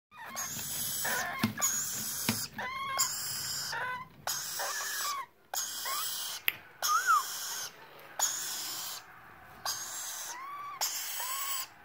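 A young rainbow lorikeet gives harsh, raspy calls, repeated about once a second, each with a short arched squeak over a hissing wash.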